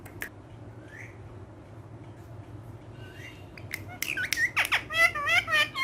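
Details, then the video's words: Green talking parrot, a pet said to speak Urdu, indoors. After quiet soft notes, loud squawky, wavering harmonic calls and chatter burst out in the last two seconds. "Amazing Urdu Bolne Wala Tota || Green Talking Parrot"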